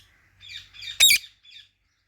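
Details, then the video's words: Indian ringneck parrot squawking: soft chattering chirps build up, then one loud, harsh, broad squawk that lasts about a fifth of a second, followed by a brief quiet chirp. "Talking Ringneck Parrot Natural Sounds | Parrot Chirping Sounds"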